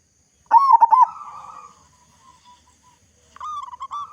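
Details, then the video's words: Zebra dove of the local type with a loud voice, used as a lure for other doves. A loud stuttering burst of cooing notes trails off into a wavering coo. After a pause, a quieter run of pulsed notes follows. "Perkutut Lokal Gacor Suara Besar Cocok Untuk Pancingan Semua Jenis Burung Perkutut Agar Cepat Bunyi"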